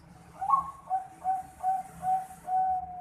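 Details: Juvenile zebra dove of the Bangkok type, four and a half months old. A louder first note is followed by four short coos and a final longer, steady note, all at a similar mid pitch, in quiet surroundings.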